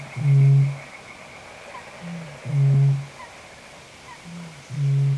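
A Eurasian bittern booms: deep, hollow, foghorn-like notes, each preceded by a softer short intake, repeating about every two seconds over a faint steady high hum.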